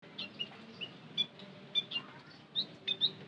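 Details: White-headed munia lure call: short, thin, high chirps given singly and in pairs at uneven intervals, with quiet gaps and a faint low hum underneath.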